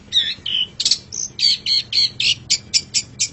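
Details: Long-tailed shrike, called pentet or cendet, in a song-training recording: harsh squawky notes with a short whistle, then a quick series of about ten clipped, evenly spaced chips, roughly four per second.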